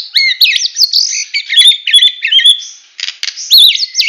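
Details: White-rumped shama from Medan in full 'tembakan' song style: rapid run of varied whistled phrases, sharp rising and falling notes and buzzy trills, nearly continuous with a brief pause near three seconds.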